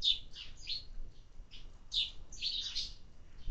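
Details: Sparrows calling at a feeder during summer: a few loud, scratchy chirps in quick pairs and clusters, separated by brief pauses.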